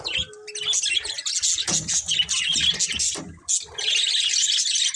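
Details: Colourful budgerigars, a breeding pair, giving dense rapid high chattering and chirps, with a short low tone early and some soft lower rustling beneath the steady twitter.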